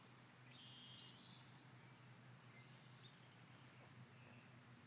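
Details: Birds tweeting at a cottage on Sunday morning, July 3, 2016: faint, high whistled phrases, a drawn-out note and then a brighter burst of short chirps, over a steady low hum.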